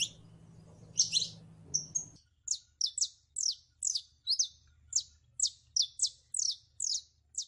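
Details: Saffron finch (canario criollo) delivering a lively series of high, quickly repeated downslurred chirps, several per second, after a brief low hum fades out.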